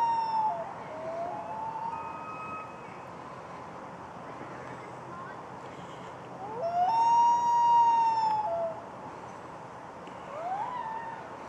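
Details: A male common loon calls to his female, who sits on a nest of eggs a week overdue, urging her to leave it: long, mournful wails that slide up, hold, then drop, over a soft, steady hiss.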